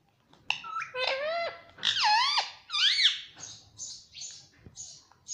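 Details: A pet Indian ringneck parrot talks in squeaky, nasal syllables that bend up and down, one after another, then fades into thinner high chirps.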